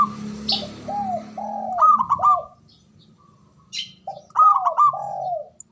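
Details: Male zebra dove giving ngoar manggung, a call said to spark mating arousal and emotion: two phrases of soft falling coos with a quick trilled burst, separated by a short silence, with occasional brief higher chirps.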